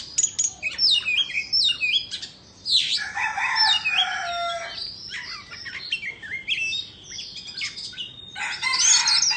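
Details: White-rumped shama of Indonesian stock singing while dancing and fanning its tail: rich varied phrases of clear whistles, sweeping slurs and rapid chattering notes, high-pitched and fast, with a brief pause mid-phrase.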